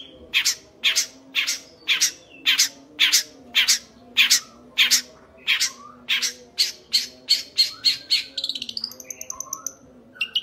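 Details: Young Long-tailed Shrike giving loud, harsh, scratchy notes repeated about twice a second, ending in a fast, thin, high trill.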